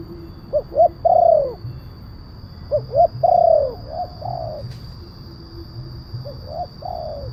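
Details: Spotted dove call for luring wild doves and training captive birds: two phrases of short coos ending in a strong falling coo, followed by fainter echoing coos, with a brief click and low hum.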